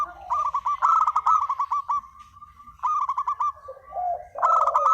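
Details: Spotted dove in a lure call, delivering a long rattling series of quick, stuttered coos, a pause, then another stuttered run, closing with lower drawn-out coos and a final loud burst.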